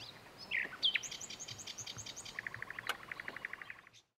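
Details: Common nightingale (Luscinia m. megarhynchos) at Lake Kerkini National Park, Greece, in April 2024, singing a few sharp, varied whistles and chirps, then a fast, even run of about a dozen notes a second over faint hiss.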